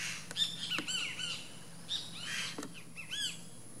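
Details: Nesting least grebe calling with clear, curved squeaky notes, some sliding down, interspersed with sharp ticking clicks, a quick series near the end, over light background hiss.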